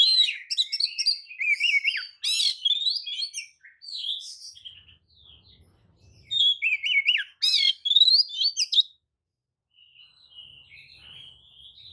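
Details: Oriental magpie-robin bait song meant to agitate rival magpie-robins into answering: two long bursts of rapid mimicry-like whistles, harsh rasps and wavering slurred notes, separated by quieter phrases, ending in soft thin whistles.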